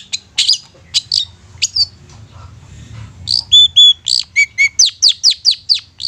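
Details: A long-tailed shrike lure song meant to spur quiet shrikes into singing. Scattered high chirps give way, after a brief lull, to clear whistled notes and then a steady series of rapid downslurred chips.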